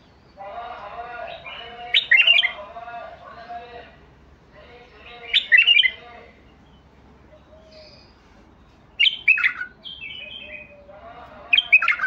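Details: Basrawi bulbul singing, a prized trained songbird: rich warbled phrases in four bursts, mellow low notes rising into bright twittering flourishes, with quiet pauses between phrases.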